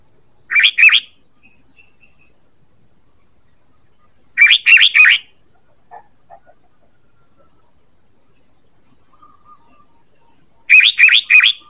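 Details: Sooty-headed bulbul call used as a lure for catching birds: three bursts of quick, bright chattering notes, three to four notes each, separated by several seconds of near silence.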